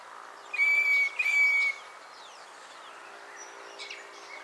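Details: Northern Fiscal (Lanius humeralis) at Naro Moru River Lodge, Kenya: a single pair of clear, flat, high whistles about half a second each, then faint, scattered chirping from other birds in the background.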